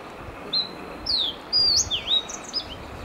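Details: Sooty race Fox Sparrow in Washington State, Pacific Northwest of the United States, recorded in spring 2018: a quick series of clear, high, sliding chirps and slurred whistled notes, some rising and some falling, over a soft steady background hiss.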